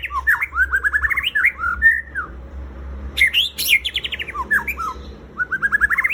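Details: White-rumped shama lure song for prompting captive birds to sing: quick runs of rising and falling whistled notes in dense varied phrases, some rapid repeated trills, over a steady low hum.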